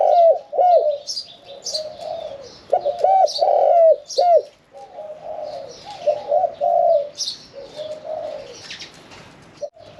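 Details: Caged Spotted dove singing the one-kuk throw pattern with a medium voice: a series of looping, rounded coos, then softer drawn-out phrases, with sharp chirps of other birds scattered throughout.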